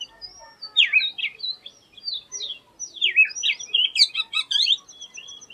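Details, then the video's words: Oriental magpie-robin (doyel) performing an unusual song: steady high whistled tone lines broken by swooping downward slurred notes, building to a busy cluster of chirps and trills. "Oriental Magpie Robin Singing an Unusual Song"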